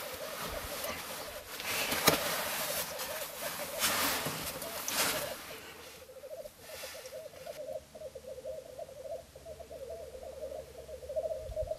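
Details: Black grouse lek in mid April 2013 at the wet Florarna mire complex, about 150 km north of Stockholm, Sweden, recorded from a hide: continuous low bubbling rookooing chorus with harsh hissing bursts early on, males fighting, a man's voice faintly behind.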